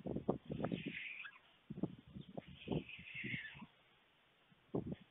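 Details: At an early-afternoon feeding on 21 July 2019, an adult male white stork brings food to two storklets at a nest in Fohrde, Germany, filmed by webcam. Rough, throaty, pulsing bursts come in clusters, then a pause and a short final burst.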